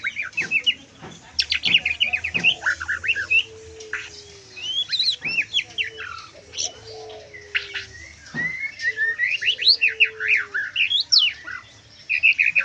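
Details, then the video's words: White-rumped shama singing in the trotol and full kriwikan style: rapid bursts of sharp, high chattering and twittering notes, broken by short pauses, with a faint low steady whistle running underneath at times. "MURAI LEPAS TROTOL FULL KRIWIKAN"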